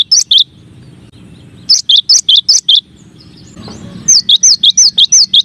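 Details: Masteran variation of the cinereous tit: small groups of two-note phrases, then a brief noisy burst, followed by a rapid run of about eight high phrases.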